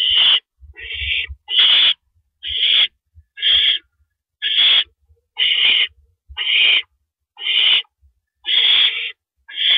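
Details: Owl nest at night, 1:11 AM, April 6, 2012, as the male brings in a rabbit; a long series of raspy hissing screeches, about one per second, with faint low knocks beneath.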